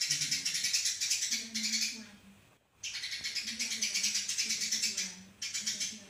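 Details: Sparrow singing a fast, tightly packed master song: long runs of quick high chirps, broken by one short gap, with a faint low hum underneath.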